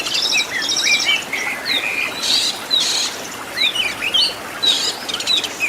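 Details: Master recording of an Oriental magpie-robin with fancy fill-ins for caged birds: scattered sharp downslurred whistles alternating with short harsh, rasping bursts, moderately loud with uneven spacing.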